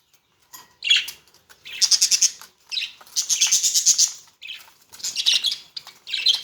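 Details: A flock of about fifteen pairs of very active, multicoloured semi-adult budgerigars kept in a colony set chatter with rapid, scratchy, high-pitched warbles and chirps in overlapping bursts.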